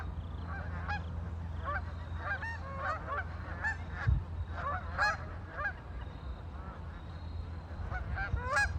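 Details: Many ducks on a lake calling almost without pause, with overlapping, nasal, harmonic honks and quacks, over a low steady rumble.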